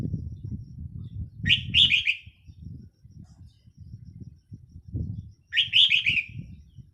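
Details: Red-whiskered bulbul decoy bird held in a cage, 4 May 2023, giving two quick warbled phrases of several chirpy notes each, spaced about four seconds apart, with a constant low-pitched rumble underneath.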